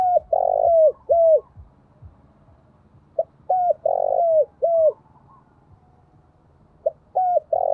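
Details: Spotted dove used as a decoy, thổ voice, giving urging and calling coos: three phrases roughly every three and a half seconds, each a quick note, flat coo, long rough coo and falling coo, over low hum.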